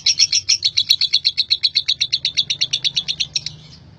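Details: Rapid, piercing chatter from a male lovebird singing ngekek style, roughly four harsh notes a second for three and a half seconds, then fading out.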